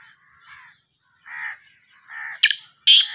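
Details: Black francolin, known as Sindhi kala teetar or Sahiwal teetar. Muffled grating notes build gradually, then two very loud, harsh, rasping bursts end the phrase, each about a third of a second long.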